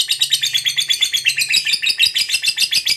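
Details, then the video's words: Lovebird of the fighter type singing a long ngekek trill, used to prompt other lovebirds to sing: a continuous fast chattering of high, scratchy notes pulsing about twice a second, unbroken throughout. "SUARA BURUNG LOVEBIRD NGEKEK PANJANG TERAMPUH BUAT PANCINGAN LOVEBIRD AGAR CEPAT NGEKEK GACOR"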